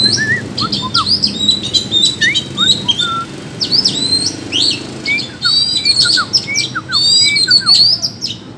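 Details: Wild Oriental magpie-robin singing a duel in the forest: continuous varied high chirps, whistles and short trills, interleaved with repeated lower downslurred whistles from a second singer.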